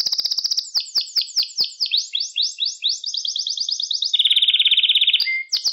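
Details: Canary song meant for training young birds to sing: quick rapid trills, a series of descending sweeps, a long buzzy rolling trill, then a lower pulsed trill with brief high whistles.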